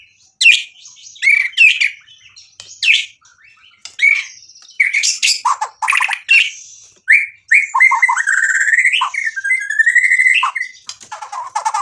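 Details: Vigorously singing white-rumped shama whose song is used to goad a rival shama into replying. Sharp chirps and chattering bursts come in quick spurts, then a long rolling warbled trill of tightly packed notes and a final whistled flourish.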